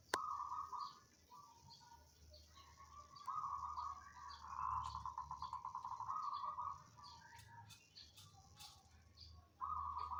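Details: Caged zebra dove, banyumili type, singing softly amid a low steady hum: several short trilled coo phrases, one with a clearly pulsed stuttering section, separated by gaps.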